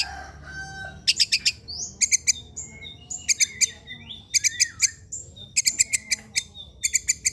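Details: Lure recording of a long-tailed shrike singing: loud clusters of harsh, rasping notes alternate with thin rising and falling whistles, repeated in bursts about once a second.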